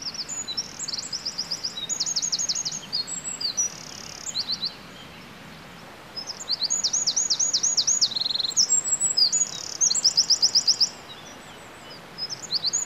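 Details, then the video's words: Early-morning Eurasian wren in animated song, unbothered by a person close by; melodious, rhythmic phrases of fast high trills and repeated sharp notes, separated by brief silences. "Txepetxaren kanta (Troglodytes troglodytes)"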